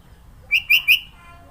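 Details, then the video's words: A brief phrase from a varied-song sooty-headed bulbul in Sidoarjo, East Java: three fast, rich whistled notes in under half a second. "Burung kutilang suara isian banyak"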